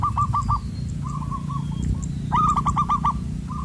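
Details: Zebra dove of the loud, resonant 'koong' voice type, a wild bird lured toward a glue trap. Quick trills of clipped cooing notes come in short bursts, the last series louder, over a steady low hum.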